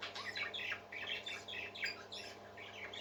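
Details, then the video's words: Parakeets singing happily in a soft, continuous warble of buzzy, chattering notes with little pause, fairly quiet and even in loudness throughout. "Happy Parakeets Singing"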